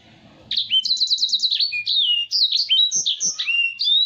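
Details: Lively song of a Black-throated canary, kept as a tutor for other cage birds: a rapid trill of repeated notes opens into a continuous chain of sweet, swooping whistles, bright and unbroken.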